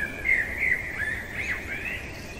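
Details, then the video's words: Brief snatch of a blackbird singing at night: a continuous mellow, slurred warble wavering up and down in pitch, with gentle background hiss. "Merle chantant au cœur de la nuit"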